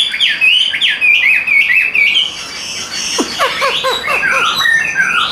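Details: Hand-carried caged Chinese hwamei, described as tame with an even, fine voice, gives rising and falling whistled slurs, then a burst of quick downward-sweeping notes and bright looping phrases.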